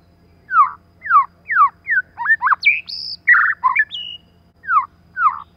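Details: Female white-rumped shama kept as a lure bird: a string of clear, downward-slurred whistles about every half second, broken by a quick cluster of higher, varied chirps and a steady high whistle.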